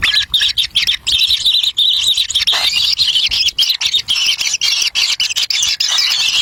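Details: Kingfisher chicks at the nest begging as a parent feeds them a black lizard; a near-continuous high chattering squeal broken by brief clicks and gaps.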